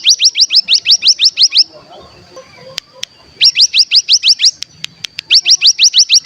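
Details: Bar-winged prinia rapid 'bren' burst, played as a lure for untrained birds: three volleys of quick upward-sweeping high notes, each volley a second or so long, with a thin steady tone and soft clicks in the gaps.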